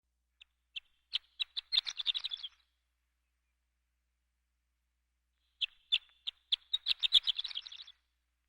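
A horned lark gives two high tinkling songs, each starting with a few separate chips that speed up into a rapid jumbled twitter, with a pause between.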